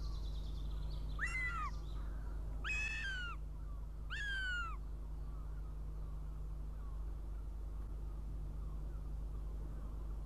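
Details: A young northern goshawk comes to its nest near Riga, Latvia, for breakfast, early morning of 23 June 2017, heard through a nest live stream. Three strident, falling squeals about 1.4 seconds apart, then only a constant low electrical hum.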